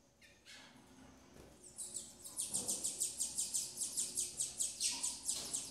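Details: Double-collared seedeater family at the nest while the female feeds her chicks: after a few scattered chirps, fast high buzzy notes repeat about twice per second and grow louder. The background is quiet.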